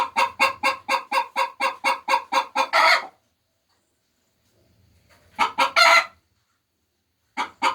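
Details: Hens laying eggs: a rapid run of about ten evenly spaced harsh clucks rising into a long loud squawk, then after a pause another burst of clucks ending in a squawk, and a further cluck at the end.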